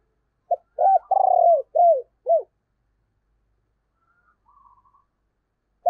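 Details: Caged decoy spotted dove with a 'giọng thổ' voice gives a clipped note, then a phrase of four soft coos: a short one, a long wavering one, and two falling arched ones. A pause follows with faint higher chirps, then another note.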